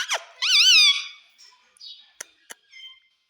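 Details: Parrot talking, mimicking the words "mummy" and "papa": a sharp opening squeak, then a loud, wavering, harmonic-rich voiced sound lasting about half a second, followed by softer short notes and two brief clicks in a quiet room.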